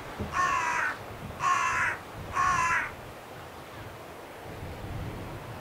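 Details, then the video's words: Carrion crow calling at Scheveningen, Netherlands, 31 January 2021: a quick series of three hoarse, grating caws about one second apart, then quiet. "Zwarte kraai Corvus corone, roepend"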